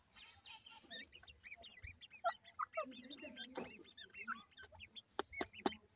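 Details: Young grey francolins at feeding time utter a busy stream of short curved cheeping notes, overlapping one another, with a few sharp knocks near the end.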